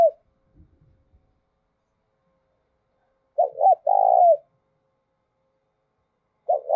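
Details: Decoy cooing of a spotted dove, urging and calling. After faint low knocks, a single low phrase plays: two quick hooked notes, then a long drawn coo. Another phrase starts at the end.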